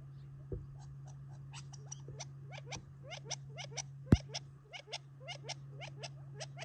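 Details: Gambel's quail eating a favourite treat near Tularosa Creek in July 2021 before going to roost; a rapid run of short upswept chirps from several birds, a few soft thumps and one sharp click, a low hum beneath.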